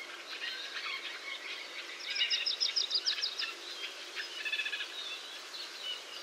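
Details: White-breasted nuthatch (Sitta carolinensis) giving quick runs of nasal notes, about eight in a second-long burst, with softer chirping behind, in a North American forest.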